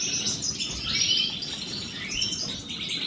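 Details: Morning bath of European goldfinches: a short stretch of overlapping high twitters and chirps, somewhat blurred by a steady rushing background.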